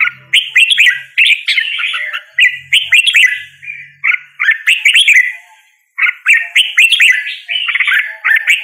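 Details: Red-whiskered bulbul song of repeated bubbly whistled phrases roughly every second or two, loud and lively, with a faint low hum at times beneath.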